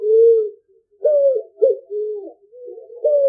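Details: Picazuro pigeon song, a recording used to lure birds for hunting; deep hooting coos, one long even note, then several shorter wavering coos in a steady rhythmic phrase. It is clean, with no background sounds.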